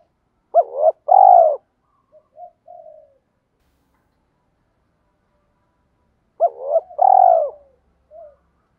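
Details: Spotted dove kept as a lure bird with a 'thổ pha đồng' voice, cooing to stimulate new captives. Two phrases about six seconds apart each hold a hooked coo and a rolling purr, then quieter trailing notes.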